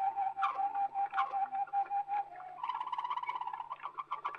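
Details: Waterslager canary on an old record from Belgium: a steady low whistled tone, then a quicker bubbling rolled phrase with rising notes near the end, faint background hum.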